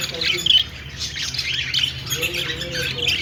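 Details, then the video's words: Budgerigar flock in a pet-store aviary: shrill chirps and chatter, then a few deeper drawn notes near the end, over a low humming background. "Flock of singing and chirping budgies in aviary"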